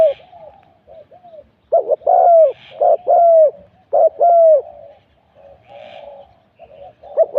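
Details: Spotted dove kept as a decoy to lure wild doves, at luring spot 41. Low cooing phrases: short clipped notes, then a drawn-out, slightly falling coo, repeated about three times. Softer cooing fills the gaps.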